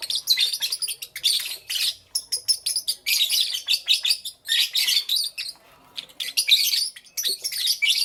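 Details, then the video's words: Lovebirds chirping in the morning, a bright, dense chatter of sharp high chirps and rapid twittering bursts, pausing briefly between clustered phrases, with faint wing flutters. "Lovebirds Chirping Sounds"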